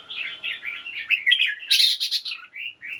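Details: Caged red-whiskered bulbul morning song for stimulating birds: a continuous flowing warble of rolling whistled notes, rising into a louder, brighter chattering flourish before settling into softer phrases.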